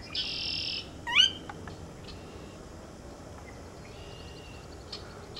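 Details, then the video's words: Sora call: one loud upward-sweeping whistle near the start, followed by faint scattered ticks. It comes just after a steady high buzzing hiss, and a fainter thin buzz runs near the end. "Marouette de Caroline/Sora"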